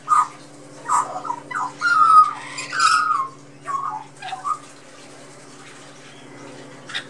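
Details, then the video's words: A young Australian magpie chick in a back garden chats with lorikeets and blue-faced honeyeaters, giving a run of warbling, squawky calls, some slurred and falling, bunched in the first five seconds, over a steady low hum. "Magpie chick"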